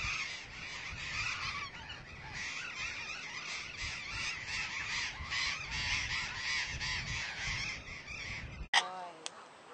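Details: Burrowing parrots at a nesting colony in Argentina of about 35,000 pairs: a dense chorus of harsh, grating screeches from many birds calling over one another, then a sudden cut to a few clearer single squawks.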